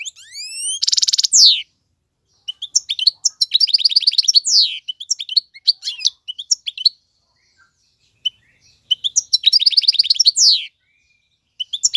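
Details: A male European goldfinch sings to teach young birds. Rising whistled slurs and a harsh buzzy burst open the song. Scattered twitters and trilled runs follow, with quiet gaps between them, and it ends in another rattling trill.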